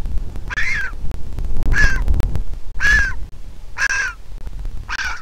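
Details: Griffon vulture chick at a nest in Israel, hatched 22 April 2021 to a handicapped pair, begging for food as its mother arrives to feed it: five hoarse, harsh squawks about one second apart over low rumbling background noise.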